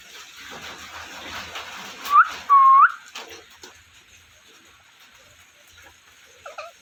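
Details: Parrot producing a short rising whistle followed by a longer dipping and rising whistle, then softer chatter and a few faint high chirps near the end.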